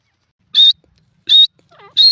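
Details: A grey francolin in jungle habitat sounds three loud, shrill, level notes. Between the second and third comes a softer, lower, wavering squeal.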